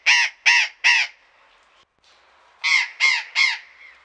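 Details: In a Pelhřimov garden, Czech Republic, in February 2018, a burrowing parrot gives two bursts of three harsh, rasping squawks separated by about 1.5 seconds of near silence.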